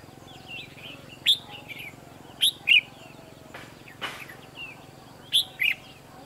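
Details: Red-whiskered bulbul used as a decoy during bird trapping on 23 October 2016, calling to lure wild birds: a few loud, short, bright chirped notes in sparse pairs, separated by quiet gaps and two dull knocking sounds.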